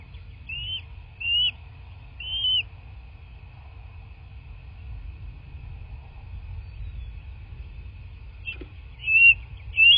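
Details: Bald eagle at its nest in southwest Florida, picked up by a nest camera on 15 March 2024 at 09:47; short high whistled chirps come in brief bursts, two close together, then a long gap before two more, over a steady low hum.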